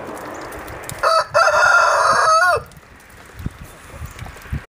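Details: A domestic rooster crows once, a loud harmonic crow of about one and a half seconds with a short break after its opening note and a falling end. Quiet follows, with a few faint knocks and rustles.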